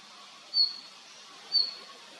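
A male red-flanked bluetail gives two thin, high whistled call notes about a second apart over a soft hiss of background noise.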